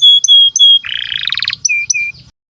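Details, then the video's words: Domestic canary master song: three clear high whistled notes, then a short harsh buzzy rattle, followed by two lower steady whistles. "SUARA BURUNG Kenari GACOR PANJANG INI Cocok untuk Masteran KENARI PAUD dan Kenari Macet BUNYI"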